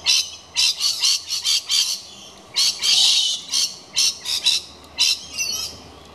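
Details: Galah at a nesting box put up for kookaburras, screeching on and on in a rapid series of harsh, scratchy notes, about two per second, with one longer drawn-out rasp near the middle.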